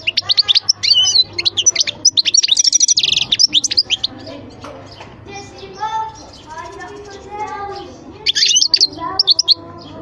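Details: European goldfinch twittering in a fast, jangling run, with a harsh buzzy passage inside it, then a pause filled by low voice-like murmurs, and a second short burst of bright high notes near the end.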